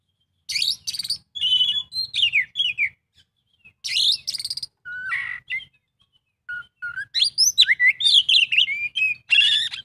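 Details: Kacer, the Oriental magpie-robin, sings an 'isian full' song: bursts of buzzy chatter alternate with sweeping whistles and rapid twittering phrases, separated by short gaps.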